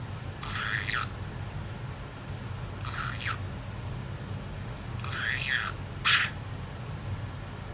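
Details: Female pet talking budgerigar that has learned to imitate a sneeze. Four short, harsh, scratchy bursts, spaced one to two seconds apart, sound over a low indoor hum.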